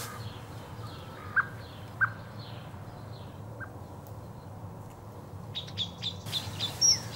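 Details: Great spotted woodpecker (Dendrocopos major) call: a few sharp, isolated 'kik' notes about a second apart, then higher chirps from other small birds over a steady low rumble.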